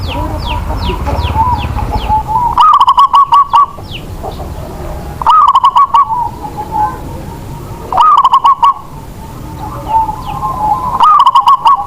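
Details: Local zebra dove whose singing sets other doves off; four loud stuttered coo phrases roughly every three seconds over continuous softer cooing from other doves, with brief high chirps at the start.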